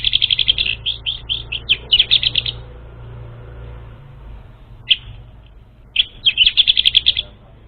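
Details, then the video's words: Orange-headed thrush singing, used to lure an untrained bird: fast runs of sharp, repeated high chirping notes in two bursts separated by a quiet gap with one isolated note, over a steady low hum. "SUARA PANCINGAN UNTUK ANIS MERAH BAHAN"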